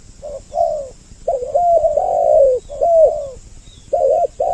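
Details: Two spotted dove voices used as a lure for both sexes: short paired coos open, then a long overlapping rolling phrase of soft, low notes that tapers away, with clipped coos returning at the end.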